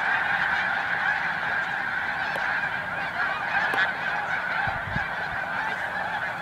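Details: Snow geese in a dense flock at Montezuma, New York, in March, erupting and taking off en masse; a continuous roaring wall of overlapping honks, with a few sharp clicks and low thumps beneath.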